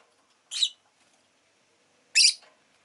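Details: Two loud, harsh chirps from a rosy-faced lovebird about one and a half seconds apart, the second longer and rougher, with silence around them.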